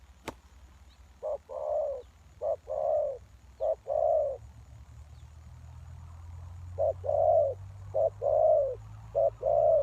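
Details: Spotted dove serving as a lure for wild doves; a sharp click opens, then paired low coos, short note before long, repeat around once a second, with a steady low rumble building in the background.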